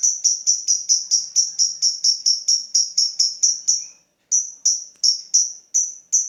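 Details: Lovebird ticking call, known locally as ngetik, used to provoke the long chattering ngekek: sharp high ticks repeated about three times a second in an even series, with one short pause partway, no other sounds.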